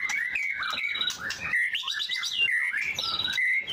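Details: White-rumped shama song: a rich run of clear whistled phrases, some rising and some falling, delivered in quick varied bursts with brief pauses, over a faint busy background.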